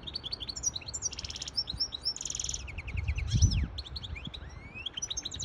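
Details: Song of a hybrid goldfinch used to coach young birds and arouse a female for mating; dense twittering with two rasping buzzy bursts, fast repeated notes and falling slurs, backed by faint low noise.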